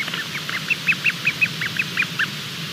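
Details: Bermuda petrel (cahow) chick calling from inside the egg as hatching gets under way, recorded by live nest camera at 23:14 on 28 February 2020; roughly a dozen short, high peeps in a quick uneven series over steady background hiss.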